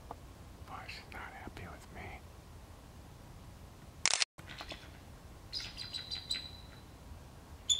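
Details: A protective parent eagle at an active nest along the Minnesota River gives thin, high, piping scold notes in a short burst, after faint chirps, a loud thump and a soft whisper.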